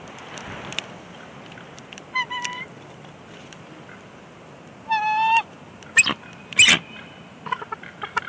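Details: Bald eagle pair at a nest at Big Bear Lake on 24 April 2021, having a brief disagreement while placing a bushy stick: two high, thin, laddered squealing calls, then sharp bursts and scattered clicks against a constant hiss.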